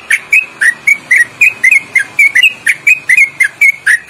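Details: Sooty-headed bulbul in a loud, long ropelan-style trill with quick twisting inflections, used as training song for other birds: short bright whistled notes, each bending down or up, repeated rapidly about four per second without pause.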